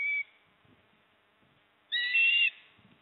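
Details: Port Lincoln osprey, 26 September 2024, at the nest as the father brings a fish and the mother eats: a brief whistle cut off at the start, a quiet gap, then one loud, steady, piercing whistled call.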